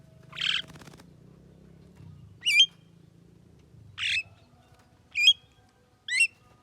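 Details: Javan myna, said to be able to talk: five loud bursts in about seven seconds, harsh rasping squawks alternating with high twisting whistled notes, over a low steady background hum.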